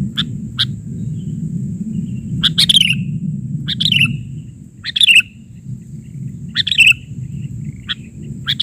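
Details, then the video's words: Sooty-headed bulbul (kutilang) singing persistently, an isian-style recording in the 'bahari' version: short bubbly chirped phrases repeated every second or so, with a steady low rumble of background noise and a thin constant high tone. "Suara isian...burung kutilang gacor versi bahari"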